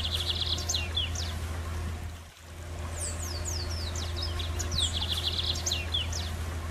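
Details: A free-flying Lined Seedeater singing in the wild, a song somewhat different from the usual for its kind: a quick, high run of sweeping, slurred whistles and short trills over a steady low hum.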